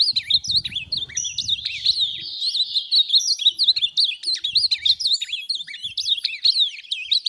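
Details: Ultramarine grosbeak kept for song tournaments delivering a steady, rapid stream of high, wavering, chattering notes. Low thumping noises sound during the first two seconds.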